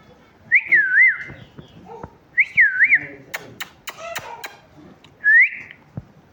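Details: Talking parrot gives wavering, looping whistled chirps in two bursts, then a series of sharp clicks and a final short rising whistle.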